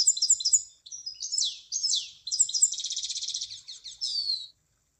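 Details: Munia song made of quick high chips, downward-slurred notes and a rapid pulsed buzzy trill, ending on a thin falling whistle. The song is heard clearly against silence.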